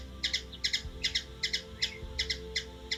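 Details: Steady train of high double ticks from a hummingbird, Washington DC, USA, roughly two and a half per second and fairly even, with low background hum and faint knocks.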